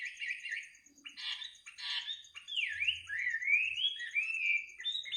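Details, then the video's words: Midnight bird song of varied phrases: short buzzy bursts, then a swooping dip and a long rising, wavering whistle, over a faint steady high whine and a brief low hum. "kicau burung di tengah malam"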